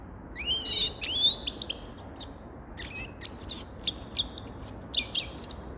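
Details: A grey-crowned goldfinch sings rising whistled slurs mixed with dense, fast twittering and buzzy trills, phrases flowing almost without a break.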